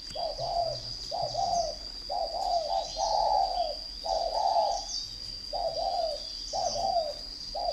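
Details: Contest spotted dove kept at a bird farm in Ba Vì, Hanoi, northern Vietnam, cooing steadily: paired mellow notes, a brief lead then a fuller held coo, in a rhythmic series over several seconds, with a thin constant tone and scattered chirps.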